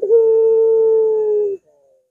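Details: Single long coo of a puter dove, from a recording meant to lure and train other puter doves: a brief rolling onset, then a steady, slightly falling hoot held for about one and a half seconds.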